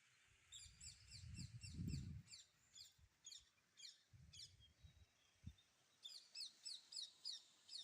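Red-wattled lapwing giving sharp, high piercing notes in rapid repeated bursts, about three per second, with low rumbling background noise between.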